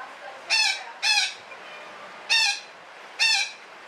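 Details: Four grating, nasal squawks from a parakeet (betet), delivered as two pairs about a second apart, in a long 'ngekek' calling bout; quiet hiss behind.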